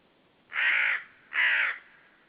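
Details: Hidden common raven yelling hard beside a white-tailed sea eagle nest, Saunja, Estonia, 18 March 2013 at 15:56; two loud, gravelly caws less than a second apart.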